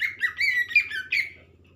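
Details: Lesser green leafbird (cucak ijo) uttering a quick jumble of squeaky, warbling whistled notes that waver up and down, with a faint low hum behind.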